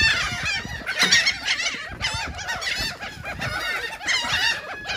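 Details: Seagulls eating cake in Atlantic City, New Jersey: a dense, overlapping chorus of harsh, harmonic squealing and mewing calls from many birds, rising and falling continuously.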